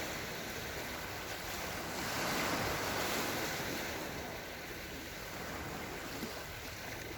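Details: Continuous rushing surf and wind along a Yalta seafront in October 2020; a louder wave swells in the middle, then eases back to a steady wash.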